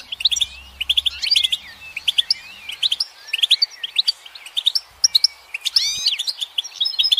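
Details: Goldfinch song: fast, twittering run of bright chirps and slurred, rising and falling notes in quick bursts with short pauses, plus a faint low hum beneath.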